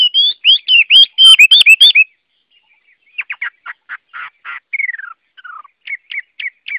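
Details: Chinese hwamei in loud song: a fast string of ringing, looped whistles, then a quieter sequence of short buzzy chips, descending slurred notes and crisp upward flicks, with clean silent gaps between phrases.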